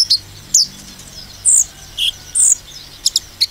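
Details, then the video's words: Sunbird giving a rapid 'nembak' shooting song meant to provoke other sunbirds; brief, very high, thin chirps and short sharp notes, scattered irregularly with gaps between them. "konin nembak mancing emosi konin lain"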